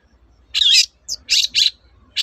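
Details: Long-tailed shrike in full 'toet-toet' song, played to coax silent shrikes into singing again: a harsh, buzzy burst, then three rasping notes in quick succession, with a faint low hum behind.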